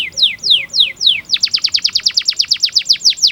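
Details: Canary tutor song for young birds: four slow drawn-out descending whistles, then a brisk series of short falling notes, roughly six per second.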